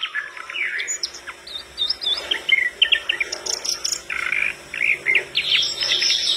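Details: Vigorous flycatcher song that reportedly prompts other birds to answer: mixed twittering and chirped phrases, with insect-like buzzing faintly behind.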